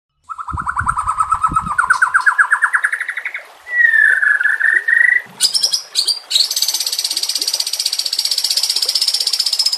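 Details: White-rumped shama (murai batu) in harsh rapid 'nembak kasar' training-song style: a fast run of repeated mid-pitched notes, then a long rising-falling whistle, then sharp high chips. A continuous high trill follows, with some low thumps at the start.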